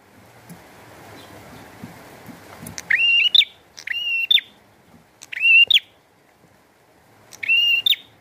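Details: Bar-winged prinia singing vigorously in the rain: steady rain hiss first, then four loud, buzzy, harmonic notes rising into a flat whistled tone, spaced about every one and a half seconds.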